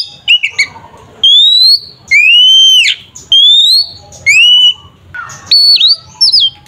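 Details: Kacer (Oriental magpie-robin) 'ngeplong' fighting song for provoking a rival: strong drawn-out whistles rising in pitch, roughly one per second, between quick chip notes and ending in a short twisting flourish.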